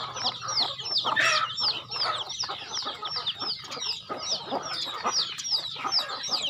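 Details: Chickens on a farm being fed, a flock giving many high, piercing descending peeps in a rapid, irregular stream, with a brief rougher scuffling burst early on.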